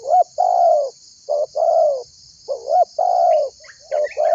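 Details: Actively calling spotted dove whose call serves to draw other birds into calling and to lure them: repeated mellow coo phrases, each a short rising note followed by a longer drawn-out coo, over a constant high hiss.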